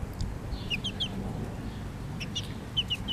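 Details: Chicks of a bobtail-coloured Pekin bantam with their mother hen: short, high, downward-sliding peeps in small clusters against a quiet, hissy background.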